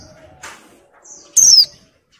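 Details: Female Oriental white-eye in breeding condition calling to males: a soft faint note, then one loud, high, slurred whistle sliding downward, over quiet background hum.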